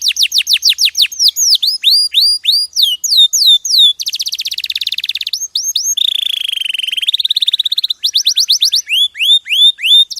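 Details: Canary in extended song with changing tours: rapid down-slurs, hooked upturned whistles, a dense rattling trill, a low rolling buzz, and a return to rising notes.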